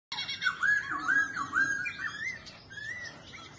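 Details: Caged laughingthrush singing while dancing and flicking its tail: loud slurred whistles near the same pitch, given in quick rising-falling loops, then softer warbled notes.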